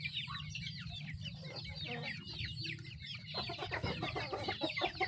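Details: Hens feeding their young: many thin, high, downslurred peeps in rapid succession over a low hum, joined later by fuller clucks and pecking clicks.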